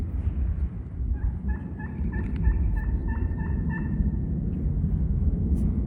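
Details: Wild turkey gobblers on public land woods, heard from a hunter's setup spot on an opening morning of turkey season: a rapid rattling gobble of about ten throaty notes over three seconds, above a steady low rumble.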